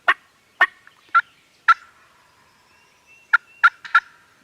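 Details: Farm turkeys recorded with a Canon G7X camera: irregular harsh, rasping gobble bursts, four spaced about half a second apart, a brief lull, then three more in quick succession.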